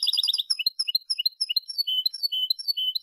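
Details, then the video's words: European goldfinch singing in the Málaga style (malagueño), recorded for teaching young goldfinches to sing: a quick burst of four rapid chirps, then varied high twittering notes and down-slurred whistles about twice a second, no other sounds. "Nuevo CD malagueño para educar jilgueros EL TENOR DE MALAGA 2022/2023"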